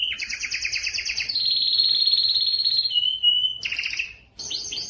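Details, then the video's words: Canary singing: rapid trilled phrases, a long buzzy high rolling tour, a steady whistled note, then quick chattering bursts, bright and loud throughout. "canary singing"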